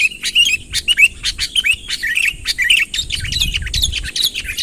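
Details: A sooty-headed bulbul in full voice, summoning a rival to approach: quick, chattering chirps with short rising and falling whistled phrases, dense and irregular, with a soft low rumble in the background near the end.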